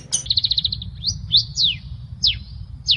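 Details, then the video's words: Long-tailed shrike song used as a master recording for training songbirds: a high sharp note, then a fast run of about eight even chirps, followed by separate sweeping whistles that slide downward, over a low steady hum. "Masteran Terbaik Pentet / Cendet"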